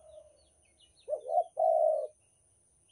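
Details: Lure call of a Banten spotted dove: a soft trailing coo, a pause, then a quavering note and a long smooth low coo, with faint distant chirps of small birds earlier.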